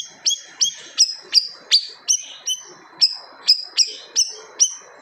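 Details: Siri-siri bird singing loudly in a style meant to make other birds go quiet; clear, bright whistled strokes sliding downward, delivered in a steady run roughly every third of a second.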